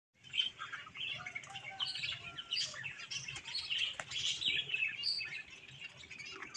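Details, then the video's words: Budgerigar chicks calling: dense, overlapping high chirps and warbled twitters, nearly continuous throughout, with sharp tweets rising above a busy chattering background of several birds. "Cute Budgies chick(Bajri tote)"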